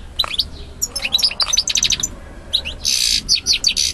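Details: A male European goldfinch sings to a female, who is said to accept him: a rapid, tinkling run of high twittering notes and liquid trills, with a brief buzzy rasp partway through.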